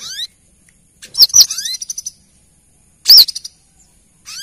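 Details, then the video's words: Female brown-throated sunbird calling the male, used as a lure sound: sharp, very high arched chirps and rising thin whistled sweeps, with a short run of stuttering high notes between them. No other sounds, just silence between notes. "Suara pancingan kolibri kelapa betina memanggil jantan"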